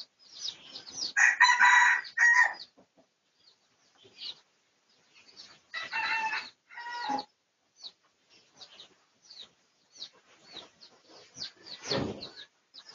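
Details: Red junglefowl, Pradu colour form, recorded for research on 18 August 2023, crowing twice, each crow a loud harmonic call of about one and a half seconds, with steady high twittering birds in between.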